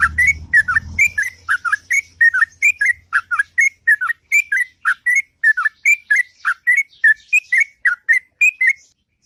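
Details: Long, melodious morning ngropel of a sooty-headed bulbul: a lengthy, evenly paced sequence of short, liquid, slurred whistles, with a low rumble at the very start fading out.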